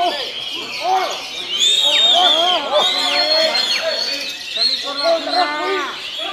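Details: A caged Oriental magpie-robin at a singing competition gives rich, continuous song of loud slurred whistles, rising and falling sweeps and quick twittering. Other songbirds and faint voices overlap.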